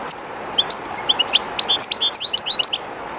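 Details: European goldfinch kept by its owner, singing beside the flowing water of the river Jerte, a little shy in the unfamiliar spot: rapid twittering of high, bright, varied notes and short trills over a steady rushing of river water.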